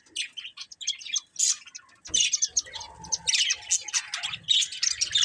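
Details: Budgerigar breeding pair giving rapid high chirps and buzzy warbling, sparse at first, then a busier, continuous chatter from the second second on, with a faint soft tone underneath.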